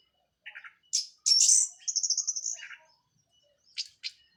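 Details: A brief teler phrase by a Cililin orange-headed thrush fresh from moult: low chirps, a loud burst of high whistles into a trilled run, then silence and two sharp closing notes.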